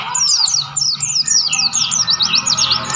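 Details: A wild white-eye from mountain nature at Mount Lawu, Tawangmangu, sings a loud, busy stream of high, slurred twitters, layered and overlapping, with a faint lower warbling beneath.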